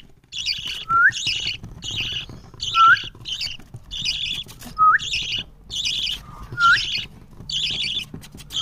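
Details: Young parrot calling in reaction to its owner's voice: repeated harsh, scratchy chirps about every second, each often followed by a short upward-sweeping whistle, over faint low background rumble.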